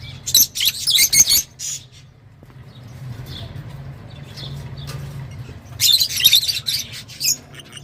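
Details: Lovebird squawking in two loud, dense bursts of piercing, buzzy notes at the start and near the end, with a quieter stretch of low humming between them.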